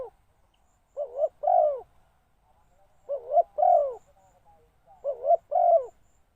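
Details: A decoy spotted dove coos to call in wild doves, repeating a hollow phrase of a stuttered short note and a longer falling coo three times, about every two seconds.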